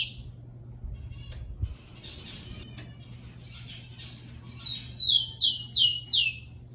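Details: Rufous-collared sparrow (tico-tico) song: soft high whistles, then a quick run of four bright, downslurred notes near the end, over a low steady hum. It is used to train and warm up captive tico-ticos to sing.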